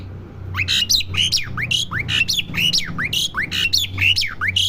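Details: Pet Asian pied starling kept at home, learning to sing: a fast run of rising, slurred notes, each capped by harsh buzzy strokes, repeated several times a second over a faint low hum indoors.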